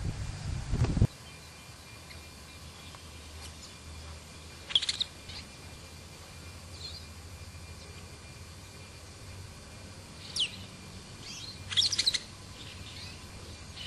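Brown-and-yellow Marshbird giving a few brief, sharp high calls at irregular intervals, with a soft thump at the start and a steady low rural hum behind.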